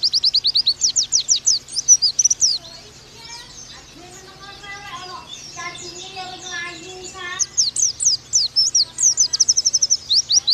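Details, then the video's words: Oriental white-eye 'nembak' style song. Quick bursts of high, thin descending whistles open and close the recording, and human voices talk in the middle while the bird pauses. "Pleci Bakalan Nembak Pake masteran ini!!!"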